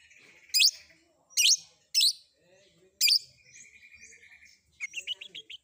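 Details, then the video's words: Long-tailed shrike combination fill-in: four loud, harsh, scratchy notes, a soft buzzy trill, then a quick twittering phrase of short high notes. "Cendet Manapun Bakalan Langsung Nyaut Dengar Suara Isian Kombinasi Cendet Cendet ini"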